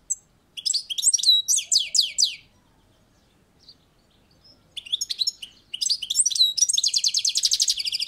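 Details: A European goldfinch sings on a balcony, giving lively high chattering phrases, a near-silent pause of about two seconds, then more twitters running into a long, fast, evenly pulsed trill.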